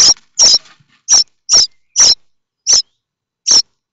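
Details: Common starling chicks begging in their nest in Théding, France, awaiting food from the parents: loud high-pitched raspy squeals in uneven bursts, some close together, others spaced nearly a second apart.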